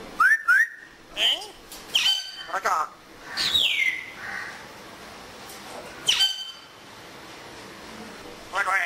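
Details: A pet African grey (Congo grey) parrot, enjoying the weather and talking in Urdu and Pashto, mixes quick rising whistles with raspy, speech-like phrases and a falling, squawky sweep, set against a steady background hiss.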